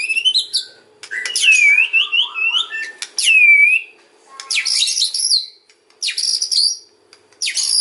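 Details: White-rumped shama singing kretekan and ocean phrases to lure other shamas: bright down-slurred whistles with ringing overtones alternate with scratchy, crackling bursts, repeated in loud phrases.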